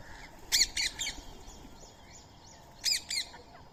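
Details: Indian ringneck parrot during daily feeding of soaked rice and corn, with a squirrel nearby: two pairs of harsh, rasping screeches about two seconds apart over soft background twittering.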